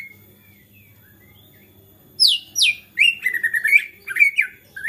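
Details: White-rumped shama in agitated song that prompts other shamas to answer; quiet faint notes first, then loud descending whistled sweeps followed by a quick buzzy trill and rising-falling whistles.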